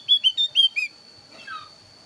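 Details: Thin-browed Javan grey-throated white-eye, lure song for drawing birds in: five clear whistled notes in quick succession, each slightly lower, then a faint soft chirp.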